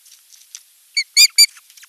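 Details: Osprey at its nest, dropping in to 'chat' with its drowsy mate on 8 June 2023. A nest camera picks up one short note, then two loud, clear whistled chirps in quick succession, with faint soft ticks around them.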